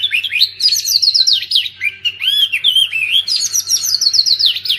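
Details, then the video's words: Oriental magpie-robin song aimed at silent magpie-robins after moulting: unbroken rapid warbling, rising whistled notes, buzzy scratches and looping slurred phrases. "Kacer pasti nyamber dan gacor klo dengar ini"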